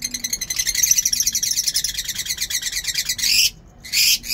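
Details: Captive lovebirds in a home aviary keep up a continuous fast, twittering chatter of shrill notes, ending in two loud harsh screeches split by a brief silence.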